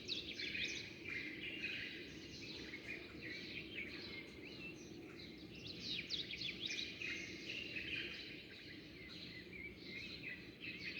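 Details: Many sparrows chirp at daybreak in a continuous, dense chatter of short, high notes, about three per second, over soft background noise.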